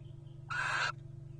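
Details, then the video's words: Wild Little Owls courting at nest boxes in the 2023 nesting season, a pair interacting: one short hoarse screech of roughly 0.4 seconds, rough and wide-toned with a thin whistled core, against a low steady hum. "Whoo's Courting Who? A Charming Encounter Of Little Owl Pairs At Nest Boxes"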